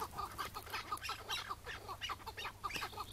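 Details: On a May 2017 morning, a wild chukar partridge of the Iraqi type calls during its capture. Quick harsh chuk notes tumble out in close succession, several per second.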